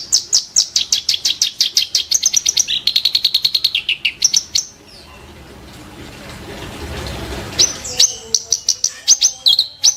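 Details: Kerak basi giving sharp, rough song: fast runs of piercing high notes and a buzzy trilled segment, then a noisy pause of several seconds before the chattering resumes.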